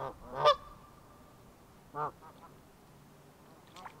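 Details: Canada geese on a pond near a university in Blacksburg, Virginia, at the end of winter, giving two loud nasal honks, one near the start and one at two seconds, then softer honks against a quiet background.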